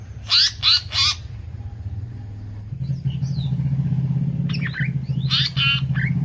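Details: Seriwang or tali pocong, the pied fantail, in lure audio: three loud harsh scratchy notes open the recording, followed by a motor engine droning and a few faint chirps near the end.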